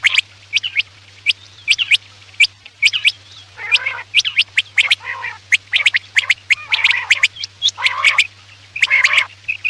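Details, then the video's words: Quail sounds meant for night hunting as a lure: rapid sharp clicks and short high chirps throughout, broken by several nasal, buzzy bursts, with a constant low electrical hum beneath. "Batair ki awaz raat k liye|batair ki awaz shikar k liye"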